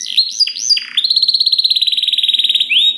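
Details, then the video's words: Canary song used as a master recording to train other canaries to sing: bright whistled swoops and slides near the top of the range, then a long, rapid, even trill of repeated notes that ends in a short rising whistle. "DENGAR SUARA KENARI DI JAMIN KENARI ANDA NYAUT SEKETIKA || Voice of Canary"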